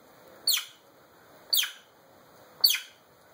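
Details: Pet African grey parrot, male, recorded alone indoors on a phone while mimicking: three bright, high chirps sweeping steeply downward, roughly one per second, in a quiet room.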